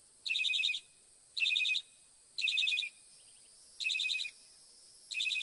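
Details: Northern mockingbird singing: a bright, complex phrase of rapid high notes repeated five times, about once every second, with short silent gaps between bursts and a quiet background.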